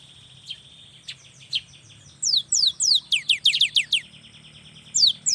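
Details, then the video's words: Lively young cinereous tit, singing to draw quiet birds into song: a few soft high notes, then a rapid string of about ten sharp falling whistles, and more at the end. "SUARA yang PALING DI SUKAI BURUNG GELATIK"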